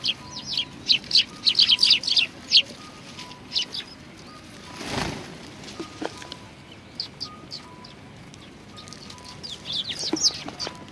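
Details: Sparrows coming to be fed at a Tenmangu shrine, 25 November 2020: a quick run of high chirps opens the clip, then a soft whoosh, then only sparse faint chirps. A short flurry of notes returns at the end.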